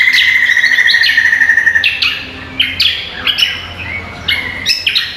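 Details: Cucak kombo, or greater green leafbird, sings for contest training, opening with a sustained, even high trill for two seconds, then breaking into scattered sharp chirps and quick rising flicks.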